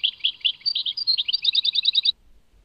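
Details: Short burst of European goldfinch song, Tadmait: bright, tinkling two-toned notes that quicken into a quick jingling series, then stop, leaving quiet.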